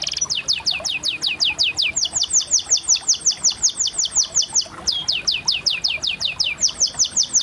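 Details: Canary song of rapid, repeated downward-sweeping chirps, high and clear, delivered in fast trills of about two to three notes per second with brief pauses between phrases.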